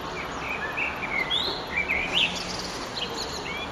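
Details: Singing Eurasian blackbird at sunset, recorded 9 June 2011: a rich, warbling run of whistled notes that swoop up and down, ending with softer high twitters, over steady hiss.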